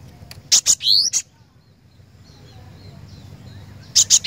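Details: Vigorous song of a cinereous tit: a phrase of sharp ticks and an upward-gliding whistle, a pause of nearly three seconds, then the next phrase begins with more ticks.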